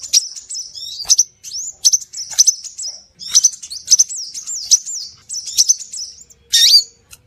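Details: Scarlet minivet lure sound with steady runs of high whistled notes, wavy and looping in pitch, punctuated by crisp clicks, ending in one louder, rougher burst.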